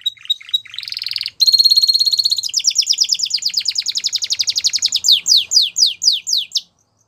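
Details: Belgian canary singing, a song used for training young canaries: a varied run of rapid trills, a long steady buzzy trill near the middle, then descending whistled notes repeated about twice a second at the end.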